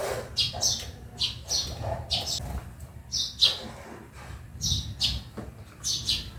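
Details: Backyard sparrow giving sharp, high chirps in uneven bursts, about two each second, over a faint low rumble.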